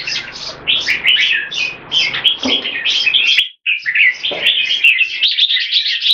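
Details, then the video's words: Red-whiskered bulbul (jambul), a caged competition bird of Olympian class, in speed action display and keke. It makes quick, bouncing, repeated chirps that break off briefly before a further burst of rapid bright notes. "JAMBUL - OLYMPIAN CLASS - SPEED ACTION DISPLAY & KEKE"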